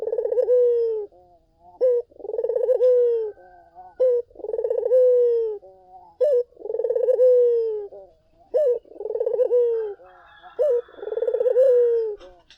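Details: Steady collared dove song used to lure other doves into calling back. Five or six rhythmic phrases, each a quick clipped note followed by a long vibrating coo tailing downward. A brief higher chatter comes near the end.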